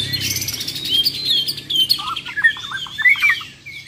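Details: Borneo White-rumped shamas tested against rival champions: thin high whistles followed by a quick run of choppy, stuttering notes, with faint low rumbling beneath at the start.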